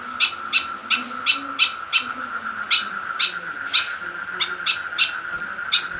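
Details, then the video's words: Harsh, nasal rasping notes from a caged white-breasted woodswallow being provoked with a plastic bottle, repeated roughly three times a second in an uneven series, with a steady high-pitched hum behind. "burung kekep babi semakin ganas dan gacor"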